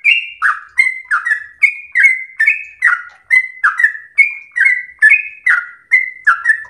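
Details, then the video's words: Home-kept trucukan (yellow-vented bulbul) in energetic 'gacor ropel slow' song meant as a tutor for other birds: a long run of quick bubbling whistled notes, each sliding downward, evenly repeated for nearly seven seconds. "trucukan SUPER GACOR ROPEL SLOW terbaik untuk masteran trucuk rumahan"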